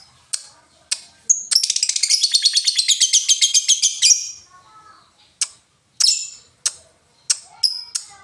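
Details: Lovebird giving ngetik and ngekek sounds: a few sharp ticks lead into a sustained rapid rattling trill of evenly spaced high notes for about two and a half seconds, followed by scattered clipped chirps.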